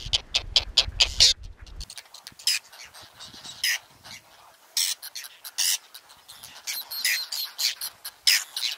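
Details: A breeding colony of whiskered terns in the Astrakhan reserve, Russia, July 2017, with eggs still in nests. A brief low hum at the start fades, leaving a run of rasping, squawking calls from many birds.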